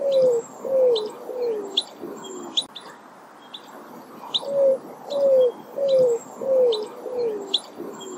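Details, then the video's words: Greater roadrunner giving low, dove-like coos in falling runs of five or six, about two per second, heard twice; small birds chirp high in the background. "Greater Roadrunner (Geococcyx californianus) Call, Sound & Song"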